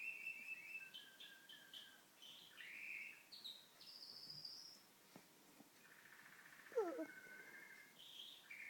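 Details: Canary kept as a pet, singing indoors during TV watching; varied phrases of quick trills, rising whistled glides and a buzzy rolled section, with a few sharp clicks midway.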